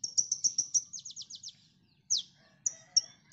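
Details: Konin training song for songbirds: a rapid series of high chirps sliding into downslurred notes, then a pause and a few loud, separate squeaky whistles.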